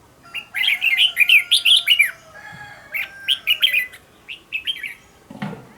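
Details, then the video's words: Red-whiskered bulbul used as a training decoy, delivering a fast, intense song. Rapid strings of warbling whistled notes are followed by shorter bursts, and a faint steady tone hums underneath. "Cách luyện chào mào mồi - Hót hay nhanh lửa, Căng"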